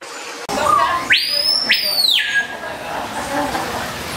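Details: Male and female swallow tanagers storing food in a throat-pouch and courting. After a short soft whistle come two strong arched calls, each shooting upward, holding a high level and dropping away, with a steady background hiss.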